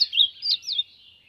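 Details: Ultramarine grosbeak (azulão) from the sertão singing to warm up: a short warbled phrase of sliding, slurred notes, rising then falling, ending in a soft trailing tail; quiet background.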